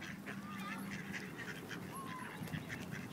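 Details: Ducks in Wilmington, NC, during forced mating of a female by a group of rejected males: soft, scattered nasal quacks with two thin whistled notes over a steady low hum.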